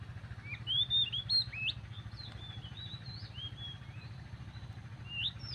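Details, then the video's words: Morning song of a magpie robin: sweet, varied whistles with quick upward and downward slides, strongest early on, then softer drawn-out notes, over constant low mechanical hum. "kicau pagi murai/chim ác là hót buổi sáng/morning chirping magpie"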